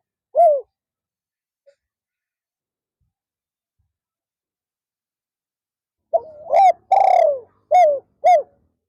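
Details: Decoy spotted dove calling on an afternoon perch to draw in wild doves: a single hooked coo, a long silence, then a low lead-in note, a drawn-out falling purr and two short emphatic coos.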